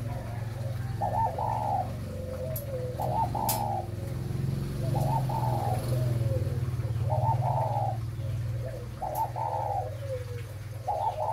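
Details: ["Breeding 'mã phân hồng' spotted dove gives repeated double-note coos with descending tails, about every two seconds. A steady low engine-like rumble and a few clicks sit in the background."]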